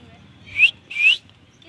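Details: A pet rose-ringed (ringneck) parakeet gives two short, clear, rising whistled chirps about half a second apart, high-pitched over a quiet background.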